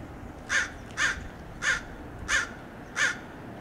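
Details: American crow mobbing and dive-bombing a red-tailed hawk perched on a roadside in Del Monte Forest, California: five harsh, raspy caws repeated at an even pace about every 0.6 seconds, over a quiet background.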